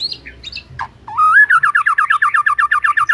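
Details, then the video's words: White-rumped shama singing: a few scattered whistled notes, one long rising whistle, then a fast run of about a dozen rolling, evenly repeated notes. "Murai Batu Jadi Ikut Gacor"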